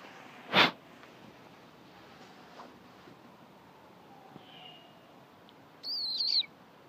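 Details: A female Great Horned Owl from a mating pair, circling close around the recordist while screeching, gives one short, harsh, rasping screech near the end, after a sharp knock and a faint thin whistle over quiet background hiss.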